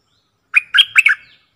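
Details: One of four decoy bulbuls gives a short, bubbly phrase of four quick, throaty notes. A thin, steady tone runs underneath. The phrase lasts under a second, with silence around it.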